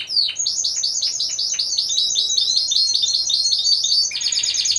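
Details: Song canaries of the Timbrado Español breed, judged as a group of four in November 2015: evenly spaced, fast bubbling trill units repeat steadily at high pitch, then switch abruptly to a harsher, buzzier roll.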